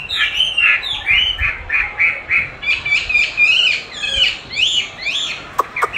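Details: Chinese hwamei being trained with a replay of its own song, which it likes to compete against: a string of rich, rolling whistled phrases in short bursts about every half second, ending with two sharp clicks.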